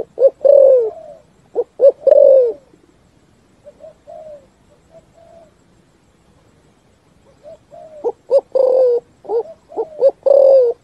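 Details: Spotted dove giving a full 'thúc gù' cooing song that rings through forest: deep mellow coos in quick clustered bursts, a first phrase, a few soft quieter coos during a pause, then another loud run of repeated coos near the end.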